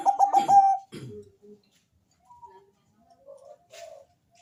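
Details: Bangkok-type zebra dove with a deep, heavy voice singing to draw responses from other doves: a quick burst of throbbing coo notes at the start, then scattered soft low notes and light background noise.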